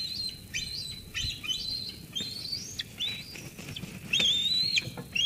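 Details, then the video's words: Young eagle at Sauces Canyon, 13 June 2021, squeeing at its mother after a food delivery until she leaves. Dense run of shrill whistled squeals, some rising, others level and ending in sharp downward flicks, nearly back to back. "Dina squees Mom away, then eats."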